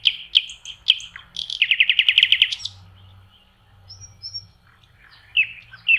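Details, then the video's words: Lakeside common nightingale in May: loud sharp whip notes lead into a rapid series of about a dozen evenly repeated notes, then quiet pause and high thin whistles before new phrases start. "Соловьи. Волшебное пение в мае. Nightingale singing"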